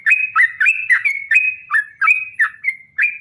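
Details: Fast, chattering Yellow-vented bulbul song in the 'ropel panjang' style, used to prompt other bulbuls to answer: bright whistled notes bending down then up, about three per second, over a clean quiet background.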